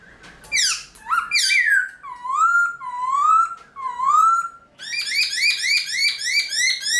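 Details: Early-morning song of a caged Black-throated laughingthrush, used for training other birds. Harsh falling squeals open, then three long slurred upward whistles, then a fast rippling run of bubbling notes.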